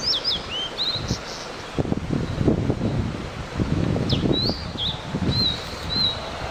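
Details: Wild blue-and-white flycatcher, recorded live, giving clear high whistled notes and short slurred phrases, some rising and falling, in two bursts separated by a pause. Steady rustling of leaves and low thumps sit beneath.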